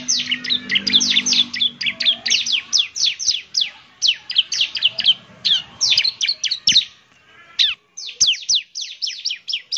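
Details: Bar-winged prinia song played as a lure, semi-active singer: long, dense stream of high, sharply descending chirps, fast and steady, with a brief break before the series resumes.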